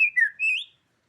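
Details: White-rumped shama of the Medan type singing: a short clean whistle, a slightly lower slurred note, then a longer rising whistled phrase, all within under a second, with silence around it.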